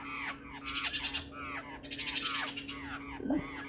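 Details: Black-faced laughingthrush recorded on 12 June 2020, giving repeated harsh, nasal descending calls in quick succession over a steady low electrical hum, with a brief clatter near the end.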